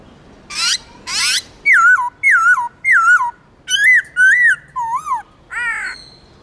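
A black-throated laughingthrush sings loud, varied phrases: two harsh rasping notes, then a string of rich looping whistles, each about half a second, ending in a chattery burst.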